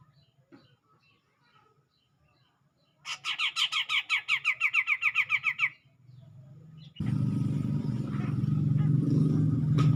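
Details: Grey-cheeked bulbul in song, provoking a rival: a fast burst of some twenty clipped, bright notes lasting under three seconds, followed by low rumbling noise like a passing vehicle.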